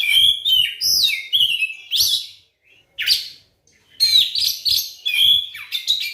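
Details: Captive white-rumped shama singing a lure song to spur other shamas to sing, delivering rich whistled phrases that swoop up and down, separated by short silent pauses.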